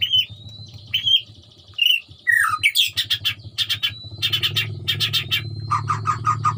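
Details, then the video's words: Colony-caged white-rumped shama song carrying strange sounds picked up from surrounding wild birds like truwok or ruak-ruak: whistled slurs, then dense buzzy bursts and rapid chattering notes over low hum. "murai gacor di kandang koloni Suara aneh"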